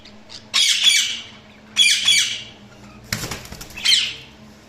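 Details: Budgerigars chirping indoors: three bursts of bright, scratchy warbling squawks, each lasting about half a second, separated by quiet gaps.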